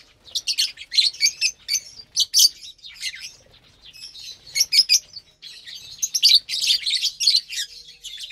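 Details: Several lovebirds at morning mealtime on 30 April 2022, fed vegetables and a mixed grain blend: a steady stream of high, rasping chirps and squeaky twitters, rapid and overlapping, with almost no pause.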